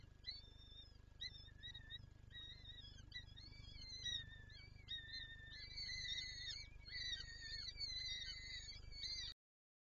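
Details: Peregrine falcon in Lublin, Poland, 23-04-24, seeking to feed the chicks: a continuing series of wavering, slurred harmonic wails, roughly one a second, growing stronger toward the end, over a fairly loud low rumbling hum.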